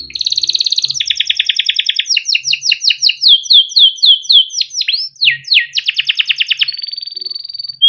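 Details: A timbrado canary delivers a training song: a buzzy roll, a long series of quick falling chip-like notes, a few sharp downward sweeps, a rapid pulsed trill, then a clear level whistle.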